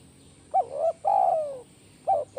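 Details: Low, mellow cooing of a spotted dove, a master recording for trainee birds: a quick double coo then a drawn-out falling coo, with the next phrase starting right after.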